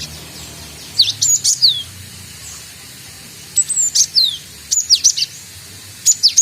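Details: Young cinereous tit learning its calls gives three groups of high chirps spread over a few seconds. Each group has sharp downslurred whistles followed by quick clipped notes.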